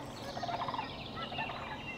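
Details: Sandhill crane heard during an early-morning dawn crane count in spring in Wisconsin, with cranes flying over: a brief rolling, rattling bugle of quick pulses, with fainter answering notes over a steady outdoor hiss.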